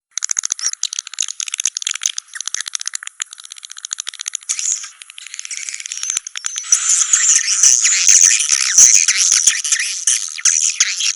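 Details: Swiftlet calls for a swiftlet house: dense rapid rattling chirps, first in clipped pulses, then building into a louder continuous high twittering in the second half.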